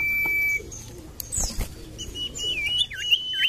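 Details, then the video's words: Common iora, in a lure recording meant to prompt silent birds to sing, gives a long steady high whistle, then quick clear whistled notes rising and falling in a brief phrase, with a few dull knocks between. "PANCINGAN BURUNG SIRTU / CIPOH MALAS BUNYI"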